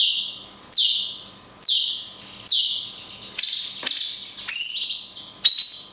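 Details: Cungkok singing 'tembakan kunti panjang' in a recording for songbird training. Loud downward-slurred whistles repeat roughly once a second, then faster mixed high notes with a brief bright trill.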